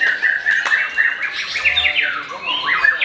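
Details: Before the Ramadan evening meal, a young Oriental magpie-robin not yet a champion gives a sustained whistled note, then quick twisting chirps and buzzy flourishes.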